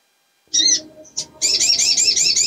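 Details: Female sogok ontong in breeding condition luring males: one high chirp and a brief note, then a quick, continuous wavering trill of high notes to the end.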